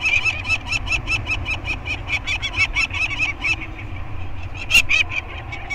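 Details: Peregrine falcon calling on Anacapa Island on 2022-05-19, banding day for two 30-day-old chicks with the parents in the area. A rapid string of grating notes slows and fades, then one sharp, louder note breaks in near the end.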